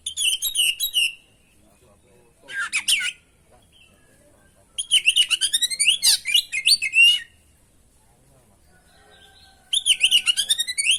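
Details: Oriental magpie-robin in full, varied song meant to provoke other birds into singing. Rapid bursts of sweet whistles, trills and chattering notes rise and fall in phrases of one to two seconds, separated by silent pauses.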